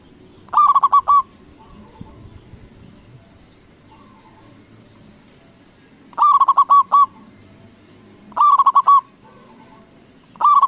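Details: Local zebra dove with a big voice, calling to provoke other doves to respond: strong, mid-pitched phrases of quick stuttering coos ending in a held note, given in irregular bouts, with faint coos from further away in the gaps.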